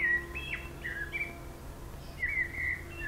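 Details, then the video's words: One bird singing a long session along Zmajčkova pot, Slovenske Konjice, Slovenia: clear whistled phrases sliding and dropping, with a low steady hum underneath. "ptice pojejo / birds singing"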